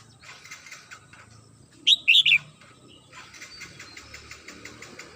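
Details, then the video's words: Morning song of a home-kept red-whiskered bulbul: one short, bright, three-note warbled phrase midway, followed by a run of soft, rapid, evenly repeated ticking sounds. "CHim Chào Mào Mơ nhà mình hót buổi sáng"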